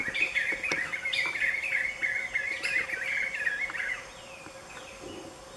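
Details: Black-fronted nunbirds singing as a group in late afternoon: an energetic rolling chorus of overlapping voices for about four seconds, then fading away to quiet background.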